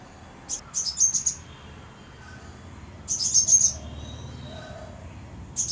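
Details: Crimson sunbird calling: two quick bursts of very high, thin, twittering chips, each lasting about half a second and about two and a half seconds apart, then one more short chip at the end, over a quiet background.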